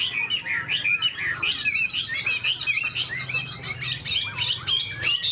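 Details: Tame caged Chinese hwamei with fanned tail and an eagle-like wing display, singing a continuous, varied run of loud slurred whistles that twist up and down, with a faint low hum underneath.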